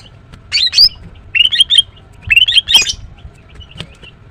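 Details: A female Greater green leafbird (Chloropsis sonnerati) sings in short bursts of sharp, squeaky chirps and rising whistled notes, about one burst per second, with a faint background hum.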